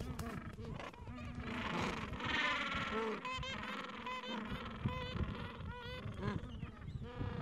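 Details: Gentoo penguin colony at its edge in the Falkland Islands on a mild afternoon, adults tending nests and chicks two to three weeks old: a loud crowded chorus of harsh overlapping honking brays with sharp squawks cutting through the din.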